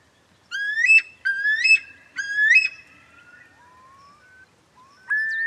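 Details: Eurasian curlew giving three loud, rising whistled calls with a sharp upward flick at the end, each about half a second apart, then a softer long sliding whistle and a final rising note; quiet background.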